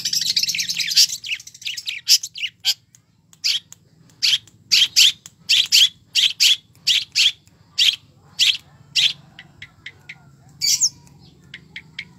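A long-tailed shrike sings a busy run of harsh, scratchy chirps and buzzy notes, followed by sharp phrases repeated roughly every half second, with a low hum beneath.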